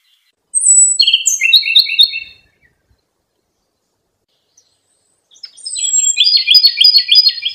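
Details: A robin songbird imported from China, kept for Indonesian singing contests, gives two bursts of rapid, high chirping phrases separated by a few seconds of silence, each opening with a thin whistled note.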